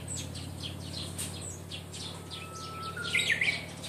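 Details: Japanese bush warbler singing remarkably skilfully: a faint, steady, drawn-out whistle ends in a brief rising, warbled flourish near the close, over a dense background of quick high chirps from other birds and a low mechanical hum.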